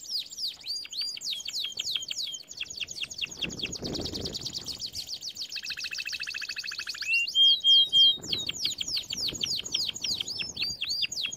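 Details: Canary song meant to train canaries: dense rolling trills of rapid repeated notes, a lower rattling tour, then a few pure whistled notes before fast trilling resumes.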